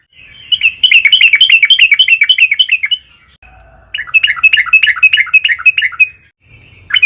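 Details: A long, fast rattling sequence of bright chirps from a Sooty-headed bulbul (trucukan), two bursts of roughly two seconds each with a brief pause between. The song is used as a lure to make other trucukan sing.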